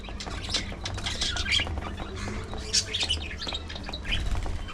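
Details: Feeding parakeets chirp and squawk in short, bright bursts, the loudest near the middle and end, over soft pecking and a continuous low hum.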